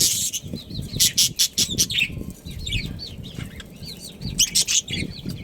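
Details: Budgerigars from a breeding pair chattering with many quick arched, whistled chirps repeated in bursts, mixed with sharp broadband rattles and soft low thumps.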